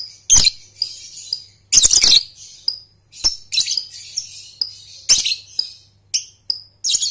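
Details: High, harsh lovebird chirps alternate with short buzzy trills in irregular bursts, a young-bird learning ngekek recording meant to lure others into calling; a faint electrical hum and a few clicks sit underneath.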